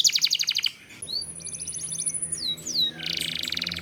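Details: Canary lure song with long rolls: a fast trill, a sustained thin high whistle with rising notes and a short trill beneath, then a dense buzzy roll, over a faint low hum.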